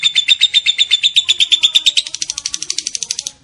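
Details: Lovebird giving the long 'ngekek' chatter, a run of about twenty-five rapid harsh, evenly spaced notes over three and a half seconds, the pitch stepping up partway through, with no other clear sounds.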